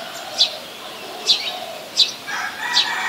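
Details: Ubon Ratchathani, Thailand, 13 January 2021: a Brown-throated sunbird gives four crisp high chips at uneven intervals. A lower warbling sound from another source joins near the end. Recorded with a Nikon P1000.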